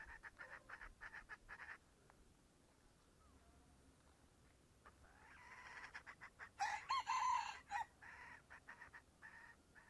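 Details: A wild junglefowl in hot afternoon bamboo forest, upslope where many are heard crowing, gives one short, hoarse crow lasting about a second; rustling, footsteps and a man's voice fill the rest.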